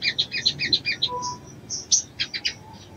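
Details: Calling female crimson sunbird trying to arouse a male: a fast run of high, doubled chip notes, a brief thin whistle, then scattered sharp chips and a short clustered burst.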